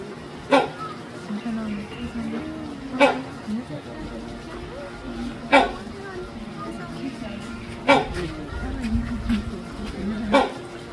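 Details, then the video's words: Great Indian Hornbill in captivity at Taipei Zoo uttering a series of five loud, coarse barking notes at irregular two-to-three-second intervals, with faint murmuring voices and low rumble underneath. "雙角犀鳥Great Indian Hornbill叫聲"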